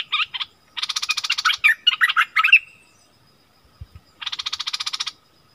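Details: Striated bulbuls in the wild arguing: a long harsh rattling burst runs into loud warbled, bubbling notes, a short silence, then another dry rattle of rapid pulses.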